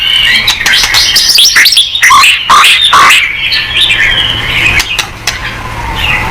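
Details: White-rumped shama song meant to provoke singing, a busy stream of chattering, whistled and slurred notes, somewhat blurred and echoing, with a quieter trailing whistle at the end.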